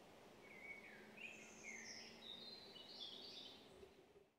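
Eurasian nuthatch giving a loose run of high, thin whistled and chirping notes, somewhat faint, over a steady outdoor hiss.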